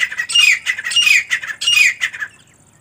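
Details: Female partridge, known as teetar, calling in a steady run of loud, grating squawks, each burst about a quarter second, ending abruptly into quiet.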